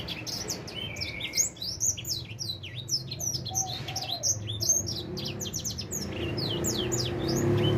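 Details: Edel sanger finch aged four months, beginning to sing: a lively chattering song of rapid high chirps, slurred whistles and a brief trill, notes tumbling roughly twice a second, with low background hum.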